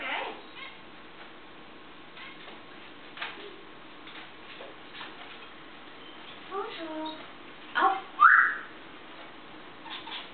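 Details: Pet African grey parrot in a good mood on the kitchen table in the morning: soft, speech-like chattering syllables, then a bright, sharply rising whistle, with a few quieter clicks in a quiet room.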